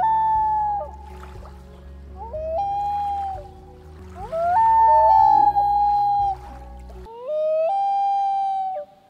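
Common loon giving long, haunting wails: three drawn-out notes, each sliding up a step and holding steady, over a faint low musical bed.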